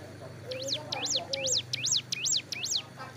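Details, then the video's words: Moulting captive hill prinia sunned at the roadside: a quick series of six high, rising-and-falling chirps in rapid rhythm, with a low engine-like hum and faint lower calls behind. "suara burung ciblek gunung"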